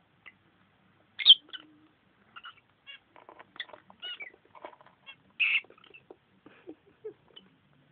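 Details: Pair of pet lovebirds, a female and a male, fooling around at their nest: scattered short, high chirps and squeaks in irregular bursts, with two louder, harsher squawks near the start and middle, in a quiet room.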